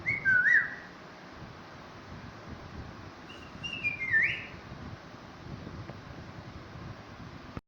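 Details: Talking parrot greets a baby parrot with bright whistles: a zigzagging whistled phrase at the start and a longer, wavering whistle that dips at its end a few seconds later, over low room noise.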